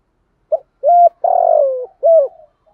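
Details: Spotted dove cooing in the morning, used as a calling decoy: a soft, low phrase of a short note, two hollow coos, a longer rolling coo, then another coo, all close together.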